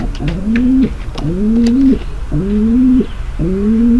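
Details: Pigeon female's mating call to make the male ready: four resonant coos, each climbing then holding level, about a second apart, with faint high clicks and chirps.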